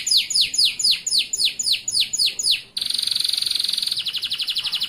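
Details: Atlantic canary, a local male in full song for training young canaries: nine loud descending whistled sweeps about three per second, then a fine high buzzing trill shifting into a pulsed rapid rattle.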